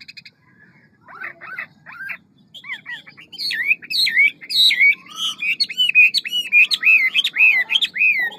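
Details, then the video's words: Hwamei, a big, fine bird, performing ngũ trường song with a forest voice, fast delivery and many voices: soft scattered chirps open, building into loud, rapid, repeated looping whistles that rise and fall in quick succession. "Họa mi ngũ trường giọng rừng mau mỏ nhiều giọng"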